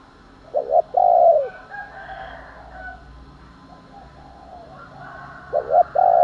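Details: Spotted dove cooing to provoke fighting, morning call: a stuttered double note and long hollow coo, a quiet stretch with faint distant sounds, then the same phrase starting again at the end.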